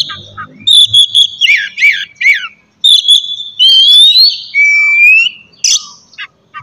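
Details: White-rumped shama in morning song used to spur singing: clear high whistles, a few falling buzzy notes, then long smooth rising whistles, faint low sounds at the start.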